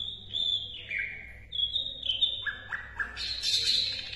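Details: Asian brown flycatcher song, recorded as a tutor track for training competition songbirds: clear whistled notes held at steady pitches, stepping down then back up, ending in a higher, denser twittering burst, over a faint low hum.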